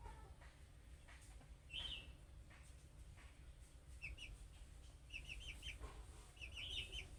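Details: Budgerigar chick calls meant to make other budgerigars respond: a single warbled chirp, then a run of short rising-falling chirps in quick bursts toward the end, over low background hum.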